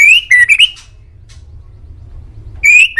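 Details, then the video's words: Male white-rumped shama from Indonesia, used as a master recording to make pet birds answer. Loud, clear whistled phrases slide upward, then break into quick chopped notes. A quiet pause follows before another rising whistle returns near the end. "MASTERAN MURAI DI JAMIN BURUNG ANDA LANGSUNG NYAUT"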